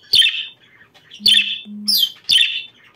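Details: Budgerigars chirping in a breeding-stimulation recording, four short harsh chirps about a second apart, with a low steady hum between them.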